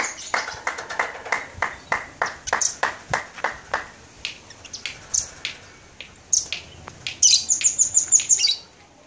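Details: Labet bird singing west of the fort at Blokagung, Banyuwangi, Indonesia, in January 2018; a run of evenly spaced sharp chips, then a rapid series of very high, thin, ringing notes.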